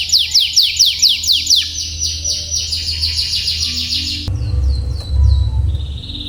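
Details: Canary tutor song for young or stalled singers: a run of descending chirps into a steady roll, then scattered high notes over a low background rumble.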